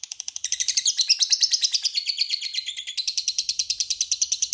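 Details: Long ngekek of a lovebird, played as a lure that rival lovebirds answer: a rapid, rattling chatter of shrill notes, several per second, swelling louder in the middle and running without a break.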